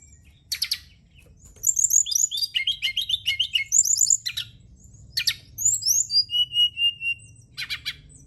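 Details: Brown-chested jungle flycatcher singing in a night therapy track for kept birds: a sharp call, then a long rapid run of chirps and whistles, followed by slurred notes and a clear sustained whistle.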